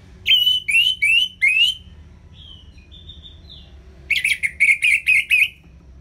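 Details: Ngeplong song of an orange-headed thrush, played as a training tutor for reluctant singers: four loud, rich chirping notes with sliding tails, a soft whistled pause, then a fast burst of six repeated scratchy notes.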